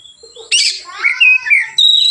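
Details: White-rumped shama in relaxed song used to train other birds: a short harsh burst, then warbling level notes and a high clear whistle, all within two seconds.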